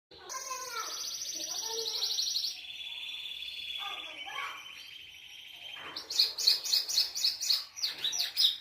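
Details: Belgian canary singing a distinctive song: a long high buzzing trill, then a steadier lower rolling trill, ending with a series of sharp bright notes repeated several times per second.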